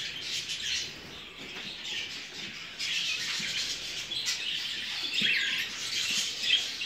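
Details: Show jumbo budgerigars bred in captivity chatter in waves: quieter twittering at first, then fuller bursts of warbled chirps and squawks.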